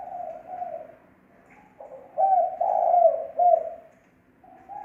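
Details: Lure call of a spotted dove, with no background noise: soft hollow coos at the start, a pause, then a louder run of three or four cooing notes near the middle, and a faint coo returning at the end.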